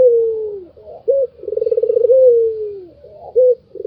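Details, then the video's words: A white Barbary dove laughs: a drawn-out falling coo, a short sharp note, a fast throbbing roll of pulses, and another smooth downward coo, with a clipped note starting the next phrase. "SUARA KETAWANYA BIKIN EMOSI BURUNG LAIN ll SUARA MERDU BURUNG PUTER PUTIH"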